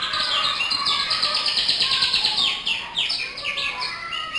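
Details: Canary singing a continuous, lively song of rapid chirps, twitters and repeated falling whistled sweeps, delivered without pause over a steady background hiss.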